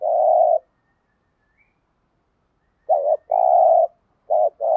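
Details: Lure spotted dove in thúc gù and gáy gọi calling, meant to stimulate other doves: a long coo, then a short two-part note and another long coo, followed by a brief note and the start of another coo.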